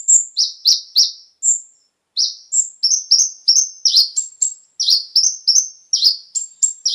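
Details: Konin song used as a lure so kept birds start singing in full: a rapid, steady run of very high, sharp chirps alternating between flat thin whistles and short falling buzzy notes, with one brief pause, no other sounds.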